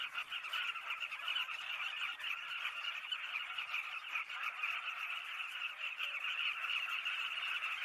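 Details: Southern carmine bee-eater: a dense, unbroken chorus of overlapping chattering calls from many birds at once, holding a steady level for the whole stretch.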